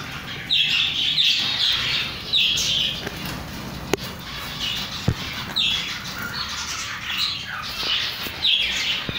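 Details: Chicks peeping in bursts of high, shrill, falling cheeps, clustered in rapid runs about every one to two seconds, with occasional sharp knocks and a low background hiss.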